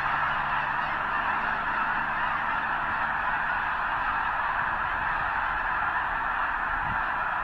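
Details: Snow geese massed near the eastern end of Potholes Reservoir, a huge flock probably preparing for northward migration to breed on the arctic tundra; innumerable nasal calls merge into a dense, even roar throughout.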